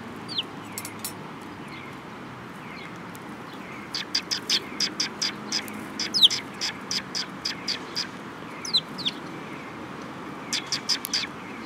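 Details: At Mizukami Bridge on 18 May 2021, sparrows coming to get food chirp: a few early notes, then a long busy burst of rapid, bright chirps in the middle, and a final cluster near the end, over low steady background noise.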